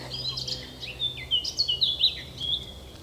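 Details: A Eurasian Blackcap sings up in the trees of Hainault Forest woodland, east of London, in mid-April. It gives a quick, rich warble of clear fluty notes with rising and falling slides over a soft low hum.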